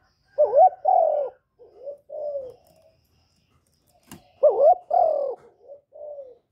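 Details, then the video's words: Song of a captive spotted dove (cu gáy, cu đất, cu cườm), recorded without background noise to stimulate newly kept doves: two loud coo phrases, each a wavering rising note then a long falling coo followed by softer trailing coos, with a brief click between. "Tiếng cu gáy mồi / cu gáy đủ bài giọng hạp bổi kích mồi luyện bổi mau nổi hiệu quả"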